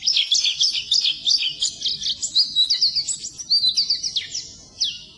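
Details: Oriental white-eye (pleci) singing on a training recording meant for birds that have stopped singing and will not trill; a rapid, high, twittering stream of thin chirps and short slurred whistles, with a few downward-sliding notes near the end.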